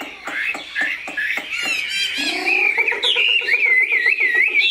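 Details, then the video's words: Caged pure-bred Chinese hwamei: harsh clicking notes and a lower nasal buzz give way to a clear, rippling whistled trill that wavers up and down. "Mi họa thuần, bộ to, chất giọng cực hay"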